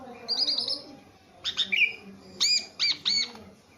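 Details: Javan pied starling, a very tame bird in full, lively voice, giving a fast trill of chirps, then a gap, then loud harsh chattering notes and three sharp ringing downslurred calls, with faint voices behind.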